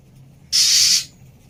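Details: Female Oriental magpie-robin, used as therapy to restart a bird that has stopped singing, giving one harsh, hissing rasp lasting about half a second, broad and noisy, over a faint low hum.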